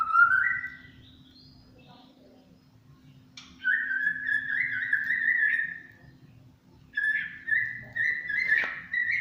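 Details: Champion white-rumped shama (murai batu) giving long, steady whistled notes separated by pauses, with fainter high notes alongside, in the tembakan cililin style.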